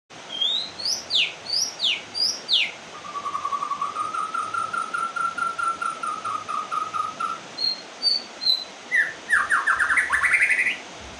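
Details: White-rumped shama singing after finishing its moult, heard in rain: loud descending whistled slurs, then a long run of low even notes, then rising rapid whistled phrases, over a steady hiss of rain.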